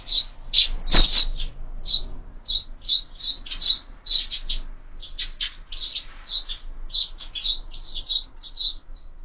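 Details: Sparrows at a feeder mounted on a window, calling in a steady series of sharp, high chirps about twice a second, with one loud tap near the start.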